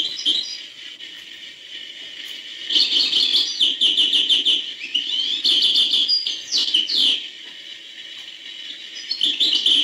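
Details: European goldfinch singing in the hbal style: long bursts of rapid, high twittering and tinkling notes, broken by quieter gaps, with a steady high tone running underneath.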